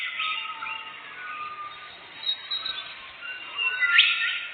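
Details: Canary lure song for catching birds, dense and busy: overlapping warbles and whistles throughout, with a sharp rising sweep near the end.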